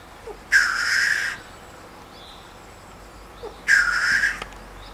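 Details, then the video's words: Displaying male black grouse in spring lek, in the wildlife enclosure of Bavarian Forest National Park near Neuschönau, Germany, gives two harsh, hissing sneezes, each almost a second long, about three seconds apart, over quiet background. "Birkhahn (Lyrurus tetrix oder auch Tetrao tetrix) balzt"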